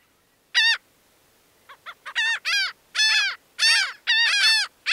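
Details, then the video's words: Laughing gull (Leucophaeus atricilla) gives a nasal, laughing series: a few short clipped notes, then longer drawn-out 'kaah' calls repeated about twice a second. "Sounds singing Laughing gull"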